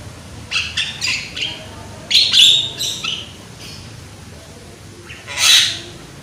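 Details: Javan myna (jalak kebo), a young bird with a loud voice, used to prompt others to sing: scattered rasping squawks and short whistled slurs, one strong harsh note near the end.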